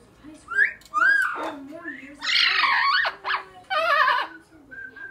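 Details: Excited female Blue-fronted amazon, four years old, indoors and waiting to come out, mixing short whistles with harsh, speech-like squawked phrases in quick succession.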